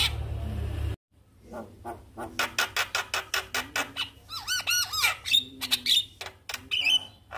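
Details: Javan myna (jalak kebo), a caged bird described as reluctant to sing, answering a lure recording with rapid repeated harsh clicks and rattles, then looping whistles and squeaky notes; a low hum fills the first second.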